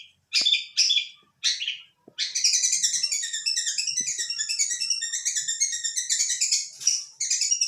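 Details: Chatty long-tailed shrike: three separate harsh, scratchy notes open the sequence, then a long unbroken run of rapid, squeaky, chattering twitters lasting over five seconds.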